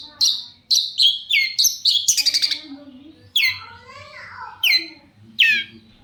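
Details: Long-tailed Shrike in full song, used as a lure to make other shrikes answer: a run of sharp, high, downslurred notes in quick succession, a brief harsh burst, then a few spaced squeaky notes with faint lower chatter.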